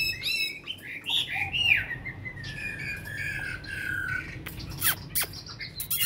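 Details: Caged Chinese hwamei in Hanoi, Vietnam, kept over five years in a cage, singing well after a full meal: loud clear whistled phrases sliding up and down, then a long falling whistle, with sharp clicks near the end.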